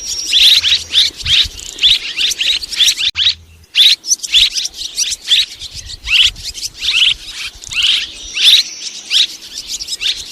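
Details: Mixed calls of two kinds of swiftlet, recorded in 2023: dense, high, chirping twitters in rapid overlapping bursts, almost continuous apart from a brief gap near three seconds.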